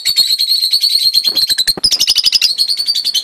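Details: Young rosy-faced lovebirds, first chicks of 2013, give a rapid, steady stream of high, raspy chirps, several each second, overlapping into a continuous twittering chatter.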